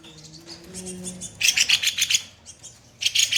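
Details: Harsh 'tembakan kasar' song of a kopi-kopi bird, recorded for training other songbirds: soft twittering, then a loud, rasping, rapidly pulsed burst lasting about a second, followed by a second rough burst.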